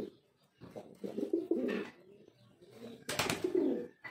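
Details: Male pigeon cooing indoors, used to attract pigeons: low, throaty, rolling coos swelling and fading in two bouts, mixed with rustling, knocks and other room noise.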